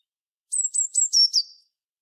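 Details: A Eurasian blue tit sings a short high phrase of about five clear, thin, descending whistles, the final notes dropping lower and fading, with no background noise.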